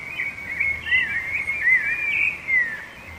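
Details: Warbling whistled song of a rufous-bellied thrush, sung to defend territory and attract a female; short slurred notes run together in a continuous rippling phrase over light background hiss.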